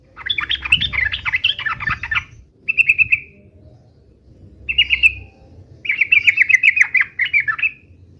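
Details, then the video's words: Yellow-vented bulbul, an actively singing bird giving fighting song: four bubbly, chattering phrases of quick rich notes, the first long and the others shorter, separated by brief pauses over a faint low rumble. "trucukan gacor UPLIK UPLIK TARUNG"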